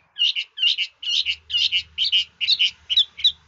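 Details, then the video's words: Hwamei in a classy, varied song admired by bird keepers: loud doubled chirping notes repeated in quick bursts, roughly two each second, with a slightly changing tone. "Chú mi cực hay, đảo giọng hót tốt hót rất đẳng cấp"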